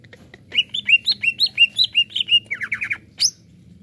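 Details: Greater green leafbird singing energetically, kept to stir up other birds: a rapid series of clear whistled notes, rising and falling, about three per second, ending with a quick descending trill and a sharp high note.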